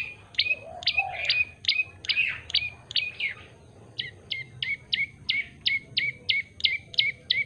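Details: Yellow-bellied prinia calling actively, giving crisp descending chirps in a steady series of about three per second. One soft low warble appears early on, against a faint background hum.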